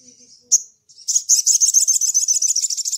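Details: Ruby-cheeked sunbird (sogon) calling to a rival in 'ngleper' style: soft thin twitters and a sharp chip lead into a dense, very fast chattering trill of high buzzy pulses that runs on to the end.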